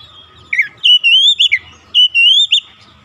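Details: Oriental magpie-robin singing a lure phrase meant to rouse rival magpie-robins: a short sharp note, then a long level whistle ending in a twisting flourish, the whole phrase given twice.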